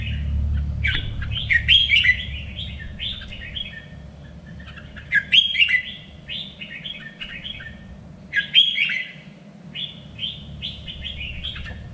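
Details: Red-whiskered bulbul, a contest bird in training, in three-region standard voice: repeated bright phrases of quick, sharp notes with trailing whistled warbles, roughly every three seconds, over a low rumbling background and a steady hum.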